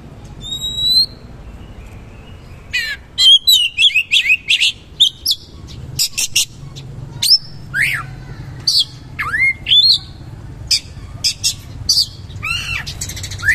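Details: Kacer, the Oriental magpie-robin, in full 'gacor' song with rough material and 'roll tembak' bursts: rapid varied phrases of sharp whistles, downslurred notes and harsh chips, in dense runs with short pauses.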